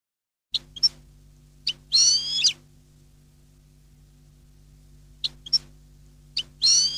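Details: European goldfinch singing in the Neapolitan style: two short bursts of high, buzzy, twittering notes separated by a long pause, over a steady low electrical hum.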